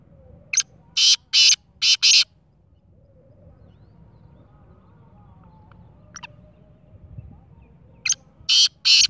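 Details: Black francolin giving its loud rasping call phrase of about five clipped, grating bursts, then a long pause before the same rhythmic phrase starts again.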